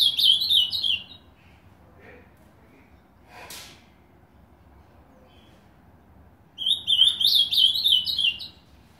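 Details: Ultramarine grosbeak kept in a cage at a home in Novo Hamburgo, Rio Grande do Sul, Brazil, newly placed on its wall nail: two short warbled phrases several seconds apart, with a soft knock and faint chips between them.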